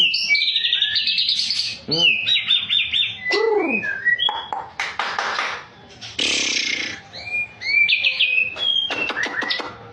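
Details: Champion white-rumped shama singing: varied phrases of high whistles, quick trills and sharp clicking bursts, with some lower arching notes mixed in and short pauses between phrases.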